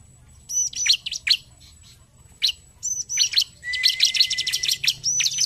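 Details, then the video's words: Energetic 'gacor narung' song of a bar-winged prinia meant to trigger singing: piercing whistles dropping sharply, then a rapid buzzy rattling trill held under a second, with brief gaps between phrases. "Ciblek gacor narung! sekali putar ciblek langsung bunyi"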